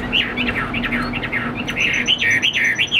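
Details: Caged Chinese hwamei, about 85% tame, sings a lively series of fast slurred whistles, repeated notes rising and dipping in quick succession, with a steady low hum in the room.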